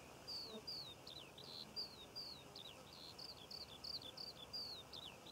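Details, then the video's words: Skylark over poppy fields in Cornwall, June: a continuous, fast-paced stream of high down-slurred whistles and twittering notes, several each second, with light background hiss. "Skylark Bird Song and Nature Sounds - Birds Singing Over The Poppy Fields of Cornwall"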